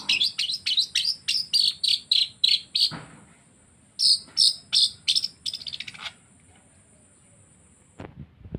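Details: Long-tailed shrike copying canary and lovebird calls: a quick run of sharp high chirps for three seconds, a short pause, then another burst of chirps ending in a dry rattle before falling quiet, with a faint click at the end.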